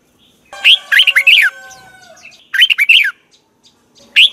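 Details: Morning song of a Red-whiskered bulbul, used as a training recording: two lively warbling phrases of bouncing notes, a faint lower whistle between them, then a single closing note.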